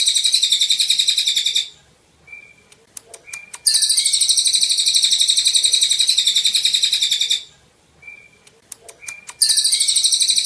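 Golden-bellied gerygone singing long, very high, rapid trilling bursts of several seconds each, separated by short pauses with a few thin whistled notes.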